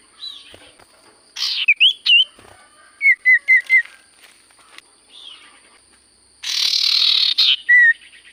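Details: Common Iora (sirtu cipoh) in full song to draw replies from quiet birds: twisting whistled slurs, then four evenly spaced short whistles on one pitch, a later harsh buzzy burst and a final clear whistle.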